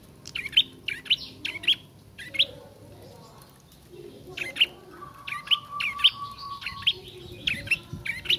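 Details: Young bar-winged prinia practising its song with sharp clicking chirps in quick bursts, a pause, then more rapid chirps and a low steady tone.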